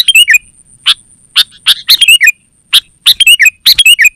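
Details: Sooty-headed bulbul, known locally as kutilang, in a lively, continuously singing (gacor) recording used to lure wild birds and train caged birds. Bursts of bright, slurred chirps with quick rising and falling notes, separated by short pauses. A faint steady high whine runs throughout.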